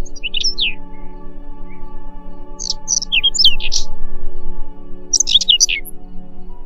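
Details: Whinchat singing three short, separate phrases of dry, scratchy chirps and quick falling whistles, spaced by pauses, over a steady humming drone of ambient music throughout.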